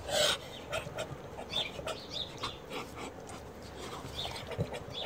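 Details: A Muscovy drake from a German exhibition line in the chocolate variety gives a louder rasping burst, then soft, breathy huffs and hisses about every half second, over a low background hum.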